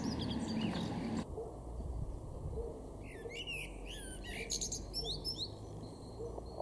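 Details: Male common blackbird in a garden in Weener, East Frisia, northwest Germany, in March 2024, singing a short burst of rich, fluting, warbled phrases ending in higher twitters, over a steady low rumble of wind or distant traffic.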